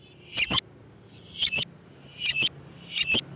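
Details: Lovebird call played to draw in lovebirds: four paired bursts of shrill, scratchy squeaks, each pair about three-quarters of a second apart, over a faint low hum.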